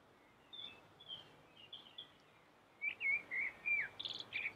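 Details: Common blackbird with a melodious voice: soft distant whistles at first, then closer, clearer fluted notes in quick succession ending in a high squeaky twitter.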